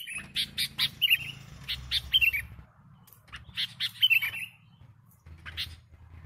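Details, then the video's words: Sooty-headed bulbul in full voice for luring birds: clusters of quick chirps ending in short descending whistled flourishes, two or three groups with quiet gaps between, light background hum. "Suara Burung Kutilang Gacor Untuk Pikat"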